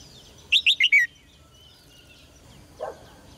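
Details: Red-whiskered bulbul singing in a cage to rouse males into strong song: one brisk phrase of four liquid whistled notes sliding lower, followed by quiet and a faint low chirp.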